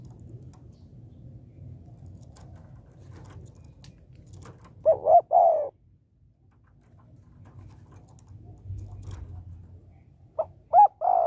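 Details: Spotted dove hen calling to stimulate males. Two brief three-note coo phrases, each ending in a longer falling note, are spaced far apart over a steady low hum.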